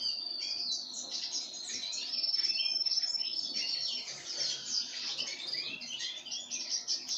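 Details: High twittering chatter from pine grosbeak during a feeding with sunflower seeds, rapid irregular chirps piling over one another, a thin sustained whistle heard briefly in the middle.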